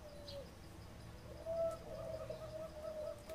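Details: Zebra dove singing in the full-set style known in Thai as 'ร้องตับ': a low, steady cooing tone with soft rolling pulses that grows louder after the first second and a half and continues to the end, over faint low background hum.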